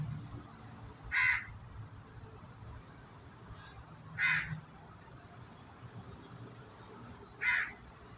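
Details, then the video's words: A crow gives three single harsh, raspy caws about three seconds apart, over a low steady rumble, while white pigeons forage and peck at food nearby. "Suara Gagak"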